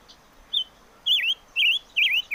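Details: Short whistled song from a chim ngũ sắc, or five-coloured bird: a brief high note, then three loud, warbling slurs that twist down and back up, over low background hiss.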